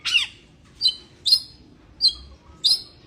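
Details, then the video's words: Oriental magpie-robin in breeding condition gives five harsh, high chirps spaced about half a second apart, each one a brief bright burst, with a quiet background. "kacer birahi"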